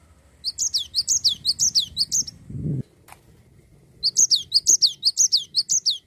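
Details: Cinereous tit, a gacor bird in continuous rolling song, used to stimulate other songbirds to sing: high bright notes sweeping down, repeated about twice a second in two bursts separated by a pause, with a brief low thump between.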